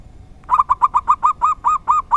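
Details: A local zebra dove's uncommon "dor tak kowor kowor" song, loud, close, rounded coo notes repeated rapidly and evenly, each slightly longer as the phrase goes on.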